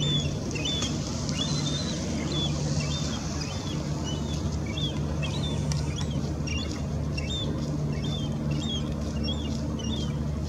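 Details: A first-year Glaucous-winged Gull, about nine months old, begs its parent for food with thin, high, slurred whistles repeated several times a second, and the parent coughs up a morsel. More than one bird calls over a steady low engine drone.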